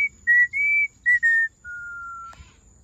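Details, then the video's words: A hand-reared pet hawk-headed (red-fan) parrot whistles: four short, clear whistles at an even pitch, then one long, steady, lower whistle, over a faint high electronic tone. "Hawk-Headed Parrot•Always in a good mood to whistle"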